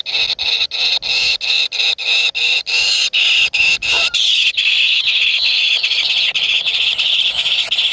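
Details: Nestlings fighting over food in their nest keep up loud, shrill, rasping begging squeals, first in quick choppy bursts, then merging into an unbroken high-pitched wheezing chorus for the final seconds.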